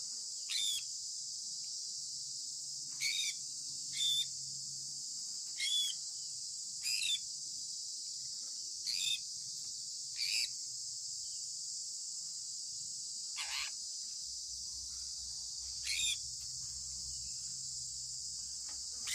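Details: A sun conure parrot chirping in the morning gives short, harsh chirps every second or two over a steady high insect drone.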